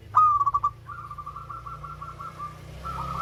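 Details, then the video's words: Melodious local zebra dove: a loud bright note breaks into rapid bubbling coos. A fainter, longer rolling trill of similar pulses follows, and another fragment comes at the end over steady low hum. "Perkutut LOKAL SUARA MERDU"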